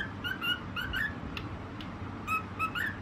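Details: Singing cockatiel, the white parrot giving a few scattered whistled notes, some flat, some upslurred, with gaps between small clusters and quiet room noise below.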